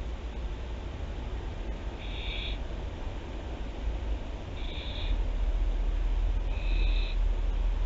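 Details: Barn owls at Théding, France, 24 September 2021: three short, harsh hissing bursts spaced about 2.5 seconds apart over a constant low rumbling hum.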